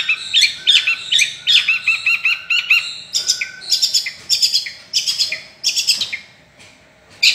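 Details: Long-tailed shrike singing energetically, with rapid rattling series of high, harsh chirps in quick bursts, then a few scattered sharper notes after a brief lull near the end.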